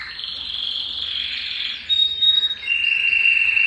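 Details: Belgian canary warming-up song for males, meant to bring females into breeding condition: a sustained buzzy roll, a brief pause, then a clear level whistled trill that steps slightly lower.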